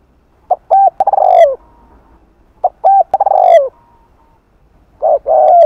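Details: Spotted dove giving Hạp Bổi-style thúc and gù cooing to attract other doves in the afternoon. Each phrase is a short note, a held note, a quick stutter and a long falling coo, repeated about every two seconds.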